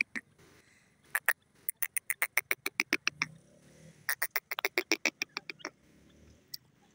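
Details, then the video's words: Grey francolin calling in fast series of loud, sharp, harsh notes, several bursts each running into a quick rhythmic string of repeated clicks, with faint low background noise between bursts. "irani teetar awaz grey pardrige sounds"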